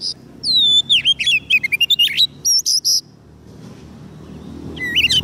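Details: Oriental magpie-robin, fed on soft food and quick to sing, calling wild birds with a rich run of looping whistles and rapid chips, then quiet before a brief final whistled phrase.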